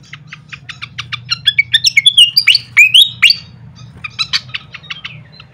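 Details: Pied fantail singing on a songbird training recording: a run of sharp repeated chirps speeding up, then loud slurred whistles that swoop down and rise, ending in scattered high ticks, with a faint low hum.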